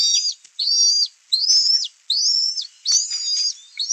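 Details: Bald eaglet at a live-cammed nest, 11 May 2024, calling as an adult arrives with a fish while two nestlings compete to self-feed; high, thin chittering whistles in five rapid bursts, each slurred downward, separated by brief pauses.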